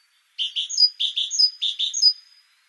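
A great tit sings three quick repeated phrases, each a lower buzzy note sliding into a higher, clear whistle, in a bright 'teacher-teacher' rhythm against a quiet background.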